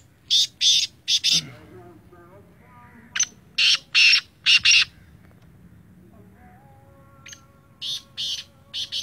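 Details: Black francolin, known locally as Sindhi teetar, giving loud, harsh, buzzy notes in short groups of three to four, with a pause mid-clip, over steady tonal music in the background.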